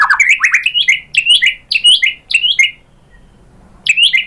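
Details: White-rumped shama singing as a lure to draw other birds into song, giving a fast series of loud, sweeping whistled notes in quick succession, then a pause and another phrase.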